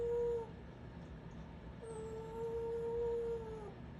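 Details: A pet Congo African grey parrot gives a brief low whistle, then a long, steady whistled note of about two seconds that dips slightly at the end.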